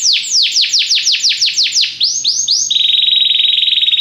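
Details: Belgian canary singing in a training recording: about eight loud downward-slurred whistles, two arched rising notes, then a fast steady buzzing trill.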